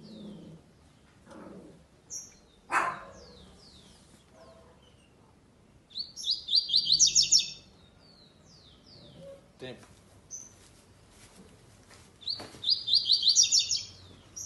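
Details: Double-collared seedeater singing in a web singing tournament, second stage, classic song style without the third note: two rapid buzzy trilled high phrases about six seconds apart, with scattered short chirps, clicks and faint low voices earlier.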